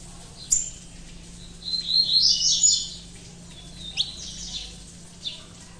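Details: Saffron finch, a captive colour-mutation bird still wary of the phone, singing: a brief burst of sharp chirps and a jumbled, high twittering phrase, then a few isolated notes over a faint steady hum.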